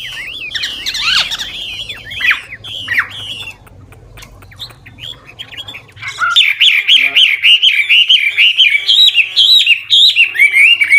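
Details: Chinese hwamei, an old wild bird, sings shifting varied phrases to encourage young birds to sing; opens with scattered harsh, sweeping notes over background hum, then breaks into a fast regular run of clear whistled notes, about two per second.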